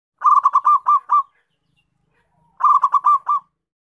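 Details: Local zebra dove calling vigorously, a recording meant to lure and trap wild zebra doves: two quick bursts of six or seven staccato, bubbling coos, separated by a silence of over a second.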